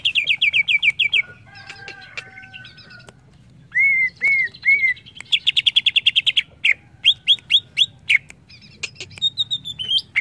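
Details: Greater green leafbird song used to train birds: rapid repeated chips, a thin level whistle, three arched slurred notes, then fast trilled runs and sharp notes in varied bursts.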